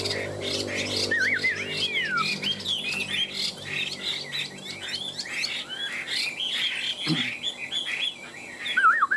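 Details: Chinese hwamei in contest singing, two cage birds tamed for three years: a rich jumble of twisting whistles, sharp chirps and quick warbled notes pours out almost nonstop, over a low background hum and one dull thump.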